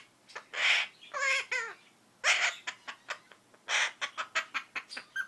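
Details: A female Princess parrot, a pet since 2013 that has picked up her owner's sneezing, gives harsh, breathy sneeze-like bursts, a wavering nasal squawk, then a quick run of short clicks and chirps.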